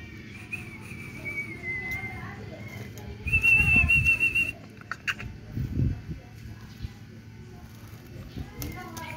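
A pet myna gives long, clear high whistles, one slowly falling and one held steady, over low rustling and handling noise.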